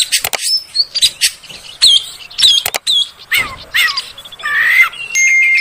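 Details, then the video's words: Lure song of an Oriental magpie-robin, meant to get caged magpie-robins singing quickly. Scattered short whistles and swooping notes mixed with harsh, scratchy bursts, ending in a sustained, thin, steady whistle. "SUARA PANCINGAN BURUNG KACER AGAR CEPAT BUNYI DAN GACOR"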